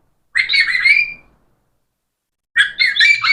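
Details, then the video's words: Pet parrot vocalising in two bursts of harsh, chattering squawks with mimicked speech-like tones, separated by about a second of silence. "Parrots so Amazing talking"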